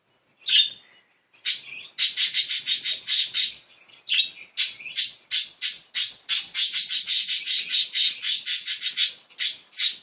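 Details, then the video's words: Playful pet budgerigars in a small room: loud, rapid, scratchy chattering squawks in dense bursts, pulsing several times a second after a brief pause near the start. "Happy cute budgies, playful budgies"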